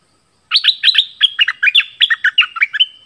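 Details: Orange-headed thrush song used to lure wild birds and train young birds: a quick run of about a dozen rich, clear notes, each swooping between low and high pitches, delivered in a lively, slightly slurred phrase.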